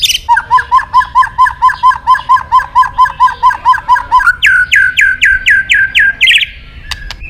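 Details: White-rumped shama song used as stimulation for other birds: a steady series of about eighteen paired whistled notes, roughly three per second, followed by a row of sharp downslurred notes.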